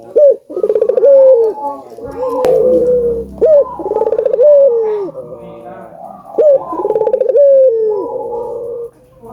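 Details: Albino collared dove calling persistently, recorded for playback to stimulate other doves to call: a sharp rising note, a rolled trembling segment, then a long level coo, with phrases repeating about every three seconds.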